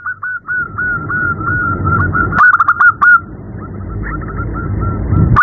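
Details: Female zebra dove calling a male at night, giving a fast stream of short repeated coos, louder in the middle, with constant low background noise.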